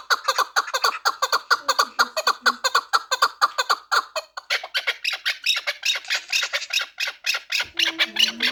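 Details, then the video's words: Chukar partridge from the Pamir, four years old, kept for fighting and hunting, repeating rasping chuck notes in a steady series that grows harsher and brighter midway; a low voice briefly at the end. "Кабки Помир"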